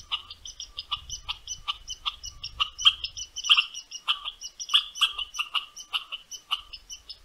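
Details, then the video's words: Western meadowlark giving "churts" on returning to a feeder in boreal Ontario: a rapid, uneven series of short, sharp chirping notes, several overlapping, with a faint low rumble early on. "Western Meadowlark returns with "churts""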